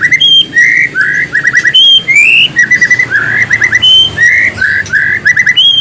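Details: White-rumped shama song of varied whistled phrases, slurred upward notes and quick chirping trills repeated in bursts about every second.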